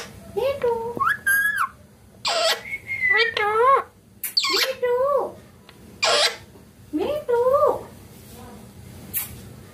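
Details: Pet green ringneck parakeet speaking clear words: a quick run of short, tonal, voice-like syllables with wavering pitch and sharp hissing consonants, grouped into phrases with short gaps between them.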